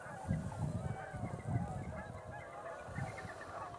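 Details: Tundra swans gathering on a pond at dusk after flying in through the twilight hour, many birds present; a dense chorus of overlapping honking and bugling calls, with low rumbling background noise.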